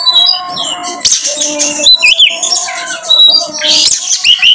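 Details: Oriental magpie-robin (kacer) lure song meant to draw out another bird's song repertoire: loud, varied whistled phrases with rising and falling sweeps and harsh squawky notes, over a steady low humming tone and busy chattering in the background.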